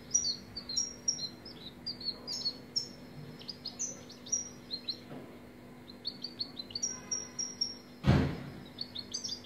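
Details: European goldfinch song: a rapid, continuous twittering of high, bright chirps and short liquid trills running throughout, with a sharp broadband knock near the end and a faint low hum underneath.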